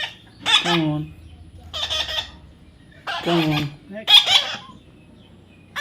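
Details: Young parrot being tamed, harsh raspy squawks about a second apart, alternating with a man's voice repeatedly coaxing "come on" in the background.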